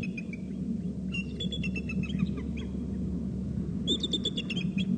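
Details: Bursts of shrill, fast chattering calls from three eagles, separated by short pauses, the last run loudest and most rapid, with a continuous low rumble underneath.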